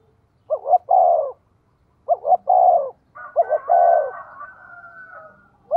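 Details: Spotted dove used as a decoy for wild birds, giving rapid cooing: three mellow phrases of two quick rising notes and a drawn-out falling coo, with a faint thin whistled tone trailing after the last one.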